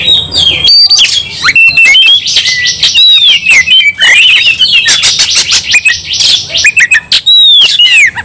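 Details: Fighting Oriental magpie-robin in full, persistent song: a near-continuous torrent of high sliding whistles, trills and scratchy notes, loud throughout with few pauses.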